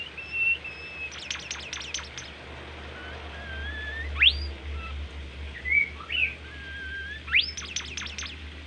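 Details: Bimoli, a melodious and easily tamed bird, in full training song: two bursts of rapid descending sweeps separated by long whistles, sharp upward slurs and short warbled phrases over a low hum.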